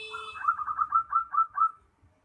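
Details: Perkutut cemani, a zebra dove, giving a rapid rolling series of about ten short soft cooing notes at even pitch, slightly rising in loudness; a brief tonal hum and low rumble at the start.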